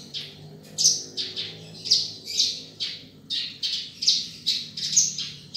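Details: Rice-field Australasian bushlark delivering a run of rasping, high chirps in a steady beat of roughly two per second, some notes doubled or trilled, over a soft low hum.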